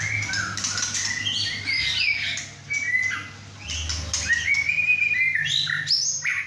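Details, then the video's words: Young caged male White-rumped shama, six and a half months old, just through his first moult, singing hard at home beside other caged birds: rapid whistled phrases, slurred rising and falling notes and sharp clicks, over a steady low hum. "White rumped Shama – "Imagine" whacking hard (6½ month old)"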